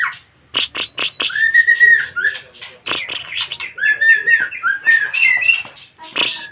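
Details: White-rumped shama coming into breeding condition sings a varied song: sharp clicking notes, then rich whistled phrases and fluid warbles.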